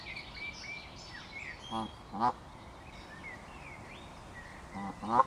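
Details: Canada geese in a territorial dispute, with two brief nasal honks early on and another near the end, over steady background noise and frequent high whistled notes from other birds.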